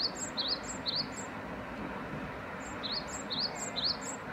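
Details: Great tit calling: a repeated series of short, sharp two-part rising and falling notes with higher thin accompanying notes, given in two bursts separated by a pause, over steady broad background noise.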